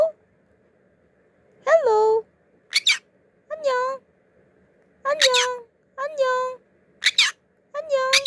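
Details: A 14-month-old male pet conure greets in Korean, saying annyeong and annyeonghaseyo, with short harmonic voiced calls about a second apart, some high and bright, with pauses between.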